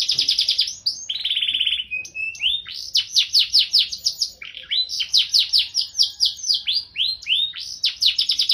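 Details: Gacor canary song with elaborate cengkok phrasing: a fast rolling trill, a buzzy sustained rattle, then series of steep descending chirps delivered rapidly in varied bursts, continuous and high-pitched.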